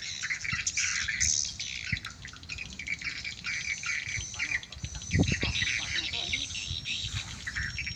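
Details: Swiftlets heard in a swiftlet-farming lure recording: continuous high, twittering chirps in quick bursts, over low thumping and rumbling handling noise.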